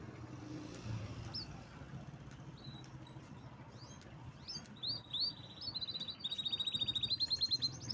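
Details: Canary song that starts with scattered sharp chirps, then builds to fast, evenly pulsed high trills in the second half, over a faint low hum.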